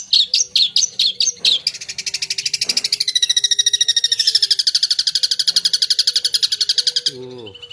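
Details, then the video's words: Long-tailed shrike (cendet) delivering full 'isian' gacor song: a few sharp high chips, then a long, even rapid trill of buzzy high notes lasting about five seconds, ending with a lower falling note. "Suara Burung Cendet Gacor full Isian"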